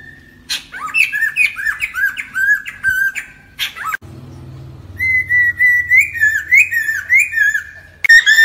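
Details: Lure song for trapping from a lesser necklaced laughingthrush: two bursts of rapid, rolling whistled notes that rise and fall and repeat several times a second, separated by a pause, over a steady low hum.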